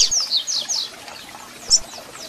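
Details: Double-collared seedeater song used to rouse and warm up a caged bird: a brief run of high, downward-slurred whistles, then a single sharp piercing chirp and fainter trailing notes over soft hiss.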